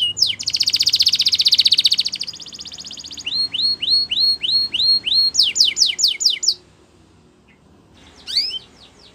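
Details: Training song of a Belgian canary for young birds: opens with a dense rapid trill, then evenly spaced upswept whistles and quick downslurred notes, followed by a pause and a short final flourish.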